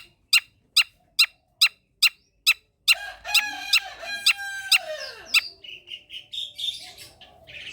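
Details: Long-tailed shrike song for coaxing lazy shrikes to sing: a run of seven harsh, evenly spaced notes, then a rich, varied passage of rasping, whistled and warbling phrases.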